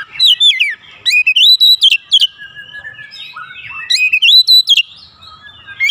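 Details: Agitated Oriental magpie-robin, lured into unloading its repertoire, pours out rapid, loud whistled and warbled phrases with rising sweeps and sharp high notes, separated by brief quieter gaps and a long thin sustained whistle.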